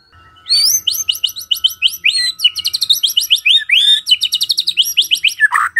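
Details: White-rumped shama in morning song, used to coax a silent bird to answer: a dense, fast stream of high, sharp, swept whistles and trills, almost without pause, ending on a lower harsh note.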